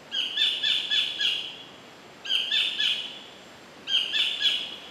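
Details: A wild collared kingfisher recorded in 2011 at Bung Boraphet, Thailand, delivers three bursts of four loud, grating notes each, spaced nearly two seconds apart, over a faint background hiss.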